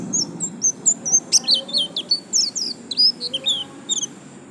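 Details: White-eye singing in 'gacor lasroll' fashion: quick sequence of high, thin whistled chirps, some rising and some falling, given almost without pause, above a soft low rumble.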